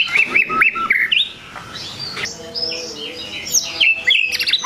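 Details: White-rumped shama song meant to provoke rival birds: quick looping whistled phrases, a pause with faint soft tones, then bright rising and falling whistles and sharp chirps, with some background hum.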